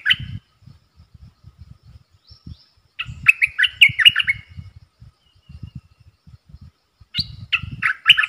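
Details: Recorded 3 October 2021 as a caged bulbul sings against wild birds. Warbling, bubbly whistled phrases come in bursts, and low thumping and rustling sounds carry on throughout the pauses.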